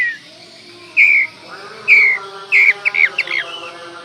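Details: Oriental magpie-robin singing a lure song to rouse rival magpie-robins: two clear, slightly falling whistles, then a quick run of twisting, warbled notes over a steady background drone.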